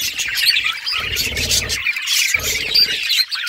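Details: Budgerigars at play together, chattering in rapid, overlapping high chirps and squeaks, with two bursts of low rumbling background noise in between.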